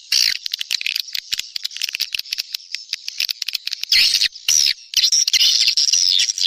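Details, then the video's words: Swiftlet lure call, SP Neptunus, played in the rainy season to pull in swiftlets. Quick irregular clicks mix with shrill, high chattering twitters, with louder bursts of chirping toward the end. "SUARA PANGGIL BURUNG WALET"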